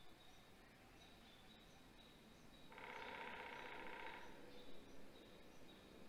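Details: Great grey owl (Strix nebulosa) chick at a nest during an evening prey drop, 7:35 pm, 20 May 2020, in Mission Valley, gives one harsh, hissing screech lasting over a second, over steady hiss with faint, thin repeated chirps of small birds.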